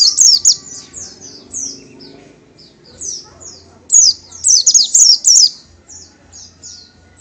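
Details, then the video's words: Song of an Oriental white-eye, the pleci or kacamata: quick high chirps tumbling downward in clustered bursts, separated by quieter gaps, over faint low background hum. "Burung Pleci / Burung Kacamata / The Oriental White Eye / Zosterops Palpebrosus"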